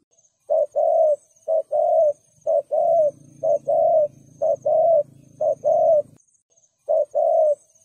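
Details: Spotted dove cooing in the 'thúc gù' manner meant to rouse rival males: a brisk series of soft, hollow two-part coos, a brief note then a drawn-out one, with a low hum in the middle and a thin high tone.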